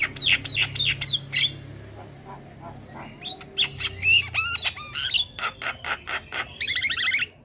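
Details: Mixed starlings singing on a lure recording meant to make kept birds start singing: rapid chattering clicks and whistles, a pause, then swooping squawks, sharp repeated ticks and a warbling trill at the end; low hum beneath.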